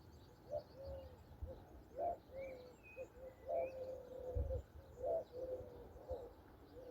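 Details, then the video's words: Soft mourning dove coos on a spring morning in Andalusia, Southern Spain, low hollow notes in loose, uneven series, some short and some drawn out, over faint high songbird chirps and a few low thumps. "listen to the gentle dove calls"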